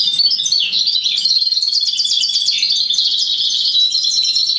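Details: Hybrid of goldfinch and roller canary delivering an unbroken stream of fast, high, tinkling trills and chattering warbles, steady in loudness throughout.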